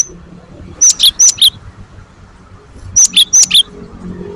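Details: Great tit (gelatik batu) song played to stir other birds into singing. Two brief bursts, each of about three quick pairs of a high whistle followed by a lower twisted note, separated by a second of quiet background hum.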